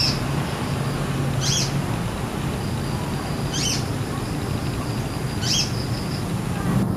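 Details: Male Brown-throated sunbird in the wild, feeding on nectar from jambu flowers while singing briefly; three short, high, sharp chirps spaced about two seconds apart over a steady low rumble of background noise.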